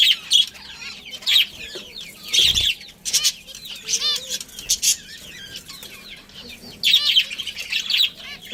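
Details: Pet budgerigar colony with a breeding pair gives clustered bursts of fast, warbling chirps separated by brief quieter moments of softer chatter.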